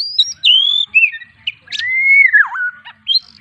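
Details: White-rumped shama song used as a master recording for training songbirds: loud, varied phrases of clear whistles, long level and falling notes, a dipping slur and short sharp chips, each phrase distinct.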